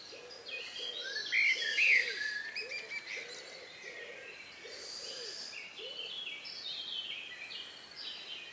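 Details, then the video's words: Last birds singing in the countryside just before nightfall, May 2, 2020, about 9 p.m., outdoor recording: a low soft note repeated steadily about twice a second under a chorus of high whistles and chirps. "relax sound of bird in the evening"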